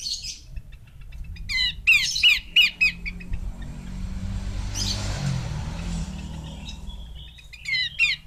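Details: Female Horsfield's babbler giving a short burst of about five harsh, buzzy chattering notes in quick succession, set against a steady low rumble and faint background hiss.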